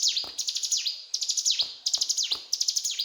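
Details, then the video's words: Mountain tailorbird giving fast cetrakan song phrases, bright high ticking runs that drop into sweeping whistles, about four phrases in three seconds, with faint knocks underneath. "Burung Ciblek Gunung Gacor Cetrakan"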